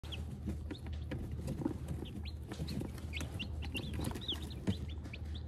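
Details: Many newly hatched chicks, some too weak to leave their shells, giving a scattered chorus of thin, high, slurred peeps over a steady low mechanical hum, with faint soft rustling.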